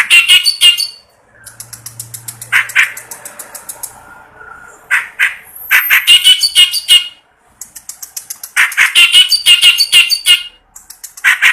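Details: Clamorous reed warbler, a kept bird, singing vigorously day and night: harsh, grating chattering phrases of rapid repeated notes broken by short pauses, with some lower scratchy notes between bursts and a brief low hum in the background.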